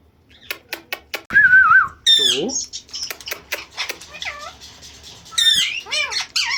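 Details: Pet parrot speaking taught words, Mitho and Put, and imitating a cat's meow; rapid clicks lead into wavy nasal syllables and swooping squeaky phrases, a dense run of chattering mimicry in a small room.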